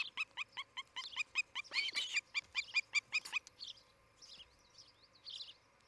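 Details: Osprey of a nesting pair in Charlo, Montana, 11 July 2018, morning: about fifteen quick, high chirps, louder and rougher in the middle, followed by quieter scattered calls and faint distant chirping.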